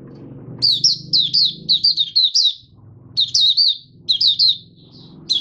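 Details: Oriental white-eye, a cage bird on the fifth day after monthly deworming, starts singing. Quick strings of high warbled notes come in two phrases split by a pause, over a low steady hum.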